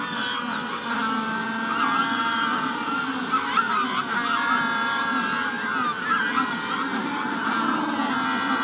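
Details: Busy Magellanic penguin colony at the hatching stage: a thick wall of overlapping nasal, harmonic calls with brief louder honks, and faint sparrow notes mixed in.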